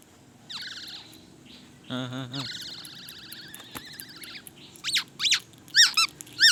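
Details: Black-naped oriole singing with imitations of the white-rumped shama: clear whistled phrases, a short buzzy rattling burst, then sharp upswept whistles repeated near the end, over a low background hum.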